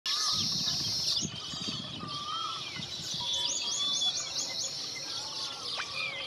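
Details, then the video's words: Baya weavers at a colony of several nests, birds building nests; dense overlapping high chirps and short rising and falling twitters from many birds, with a few lower whistled notes and faint rustling underneath. "Baya Weaver Making Nest"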